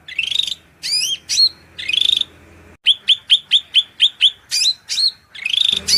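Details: Masteran song of a cucak rante (hill prinia) for training songbirds, over a steady low background hum. Buzzy rattles and looping whistles, then a fast even series of about eight sharp chips.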